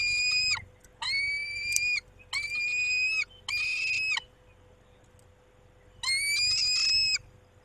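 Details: Peregrine falcons at a nest on 23 May 2021 around 19:40, a male tending the females: five harsh, drawn-out wailing calls of about half a second to one second each, steady in pitch, the last rising, with short pauses between and a faint steady hum.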